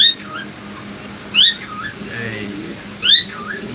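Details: Two cockatiels calling together, held in a small pigeon lot at a market in Bangladesh, give three loud whistled calls that rise and then fall, about one and a half seconds apart, as a man talks quietly underneath.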